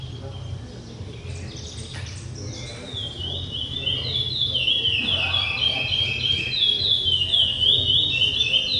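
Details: Curió, the chestnut-bellied seed finch, begins after a few seconds a fast, continuous high song of rolling, down-slurred whistles that grows louder toward the end, over a low background hum.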